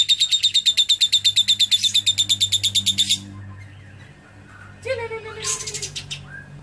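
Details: Lovebird singing a song with learned cililin material: a fast, bright, buzzy trill of evenly repeated notes for about three seconds, then quieter scattered chirps and a short falling whistle.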